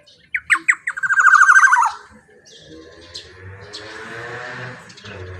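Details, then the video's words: Loud Black-naped oriole song used as a lure: several separate sharp notes lead into a rapid, rattling, descending string of harsh notes, then faint low warbling trails off. "suara KEPODANG GACOR super KERAS LANTANG cocok untuk pancingan kepodang emas"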